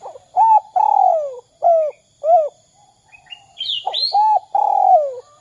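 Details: Spotted dove giving its 'kuk 2' call as a lure for other doves: short coo, long falling rattly coo, two short coos, then the sequence repeats while a high rising whistle from another bird cuts in.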